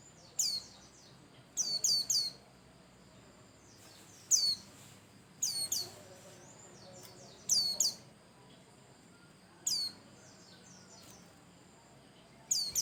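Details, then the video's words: Vigorously singing pleci Bustomi white-eye, a lure song meant to set other birds singing. High, thin, sharply falling chirps come in clusters of two or three, repeated every couple of seconds against steady faint hiss. "Pancingan Burung pleci Bustomi Cal 1,2,3 Gacor"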